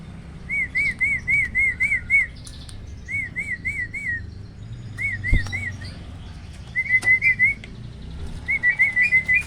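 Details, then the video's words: Hybrid starling from black-winged and Asian pied parents, in a 'roll tembak' tutor recording. Looping, arched whistled notes repeat in groups of three to six, with short breaks between runs and a single dull knock. "BURUNG JALAK HYBIRD || GURU VOKAL SUARA ROLL TEMBAK."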